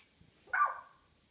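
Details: African grey parrot kept at home, morning banter: a single loud, drawn-out nasal squawk that starts abruptly and slowly fades, with faint clicks just before it.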